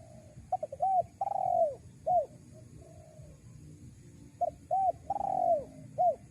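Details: Lure call of a spotted dove for attracting wild doves: two mellow cooing phrases, with soft stuttered notes, a hooked coo, a long downslurred coo and a short closing note, plus a faint soft coo between them.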